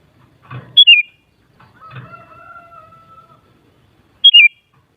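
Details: Sooty-headed bulbul singing two crisp, stepped, falling phrases about three and a half seconds apart, with a soft sustained tone and low thumps between them.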